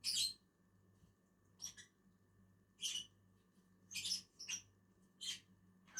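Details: Two lovebirds eating on a tree give sparse, harsh high chirps, isolated bursts about a second apart separated by quiet, over a low hum.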